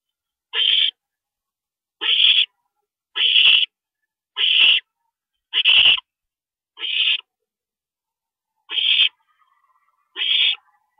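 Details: Owls at the nest on April 22, 2012, at night, as a parent visits; eight harsh hissing screeches, fairly regular about once a second before a brief pause, quiet background.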